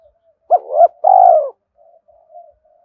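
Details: Decoy call of a spotted dove, meant to stir up males: a short double-peaked coo rising to a held, downward-curving coo, then quiet, faint trailing coos.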